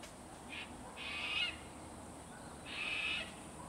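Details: A wild white cockatoo feeding on plums in a suburban garden late in the morning gives harsh, raspy screeches: one brief, then two of about a second each, over a low steady hum of cicadas and distant traffic.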